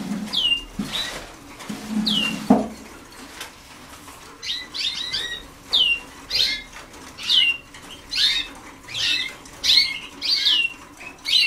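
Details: Young Waterslager canaries only days into song training: after a few slurred whistles and a low thump, a run of short downward-sweeping whistled notes repeats roughly every second, with soft flutters behind.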